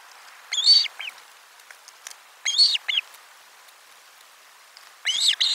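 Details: Osprey on its nest at lunch as fish is brought in, 12 July 2022, nest camera 4: a few hoarse, high, rasping calls spaced about two seconds apart, with light background hiss.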